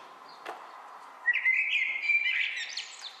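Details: Male Common Blackbird, introduced on the Otago Peninsula, New Zealand, sings one rich warbling phrase of about two seconds, rising and twisting in pitch near its end; a single sharp click comes just before.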